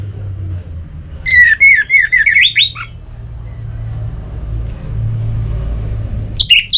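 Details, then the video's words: Orange-headed thrush song, used to stir kept birds into singing: a burst of loud, rapid, warbled whistles with sliding notes, falling silent after a couple of seconds, then a new phrase starting at the end over a low steady hum. "Suara Ini Bisa Membangkitkan Burung ANIS MERAH agar Jadi Gacor"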